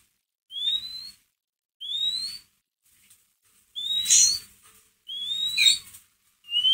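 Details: White-rumped shama ngeriwik used to excite a kept shama: repeated rising whistles about every 1.3 seconds, the later ones rougher and fuller with buzzy overtones.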